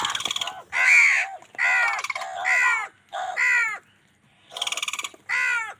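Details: Crows in an angry tussle with wild birds for food; rapid, overlapping harsh caws and stuttering rattled calls in quick succession, several birds calling almost continuously.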